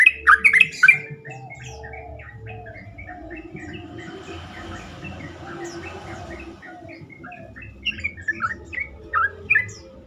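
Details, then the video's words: Sooty-headed bulbul singing as a lure to make other bulbuls respond and sing more: a loud cluster of chirpy notes, then a run of softer evenly spaced short notes, and loud phrases again near the end. "pancingan trucukan terkomplit sangat bagus untuk membuat trucukan lain lebih gacor"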